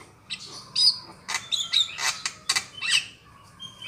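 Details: A Javan myna gives a quick run of harsh, raspy chatter mixed with short high whistles, about six bursts in under four seconds, used as a lure call for trapping mynas.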